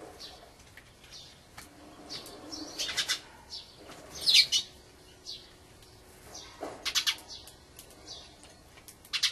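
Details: Dusky thrush in winter after its long migration from northern lands: scratchy, high chattering notes come in uneven clusters, with a loud burst near the middle and a few faint chirps between.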